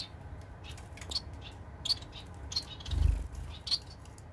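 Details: A White-rumped munia (society finch) recorded 15 April 2021 gives short, high, thin chirps, spaced irregularly about every half second to a second, over a low rumbling background and a soft thump.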